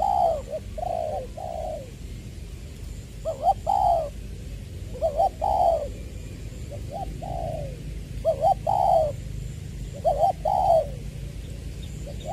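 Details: Decoy spotted dove of the 'Tieu' voice style, Tra Vinh, Long Duc, Vietnam, February 2021: spaced coo phrases every few seconds, each a quick doubled note leading into a drawn-out descending coo, with low rumbling background noise.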